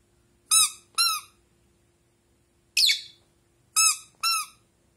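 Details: Indoor pet Rosy-faced lovebird replying to a toy duck. One rasping, noisy chirp falls between pairs of bright, tonal toy squeaks; the room is otherwise quiet.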